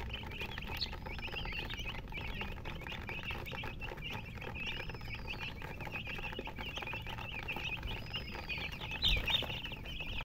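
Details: Chickens chirping in a dense, unbroken stream of short high notes, with a few longer swooping whistles every few seconds and a brief louder burst near the end.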